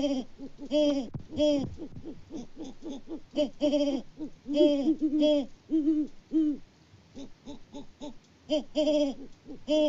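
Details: A mated pair of Great Horned Owls exchanging hoots on a Peabody, Kansas farm, live cam, February 2024, male out of view. Steady stream of low, booming hoots in clustered groups with brief pauses, the two voices overlapping at times.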